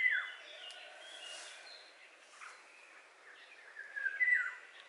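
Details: Eurasian golden oriole giving short fluty whistled phrases, one at the start and a louder slurred one near the end, over steady outdoor background noise and distant chirping of other birds.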